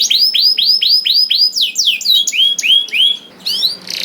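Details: Canary song played to prompt other canaries to sing: loud series of clear upslurred whistles repeated rapidly, then varied falling and rising sweeps and quick trills.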